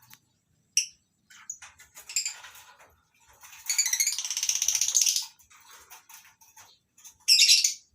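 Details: Morning in a small colony aviary of a lovebird breeding farm housing masked and Fischer's lovebirds: scattered faint chirps and rustling, then a sustained shrill chattering burst of about two seconds and a final short squawk.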